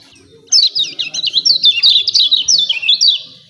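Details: Lemon-bellied white-eye uttering 'ciak ciak' calls for provoking birds into singing. After a short silence, a steady rush of high, rapidly up-and-down chirps runs for three seconds and fades out at the end.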